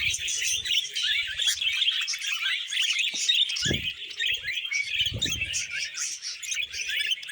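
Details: Budgerigars happily singing over fresh vegetables: a rich, continuous warble of quick twittering rising notes and chirrups, with two brief low thumps as they feed.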